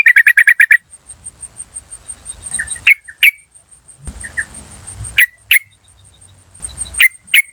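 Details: Lure call of wild yellow-vented bulbuls, cuk cuk cuk: an opening fast run of harsh chattering notes, followed by spaced single sharp notes and soft short calls, with faint rustling and a steady high tone.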